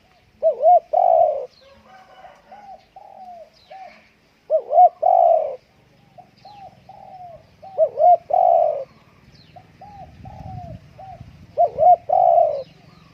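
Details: A Spotted dove kept home on a windy day sings repeated phrases, each a quick double note followed by a loud, long coo, with soft low coos in between; the pattern comes about every four seconds, with some rumbling noise.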